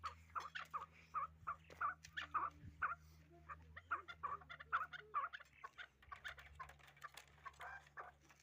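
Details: Hybrid fighting chukar partridge giving spaced, hoarse chuk notes in short repeated bursts, roughly two per second at first, then a more scattered, uneven run of clucks over faint low hum.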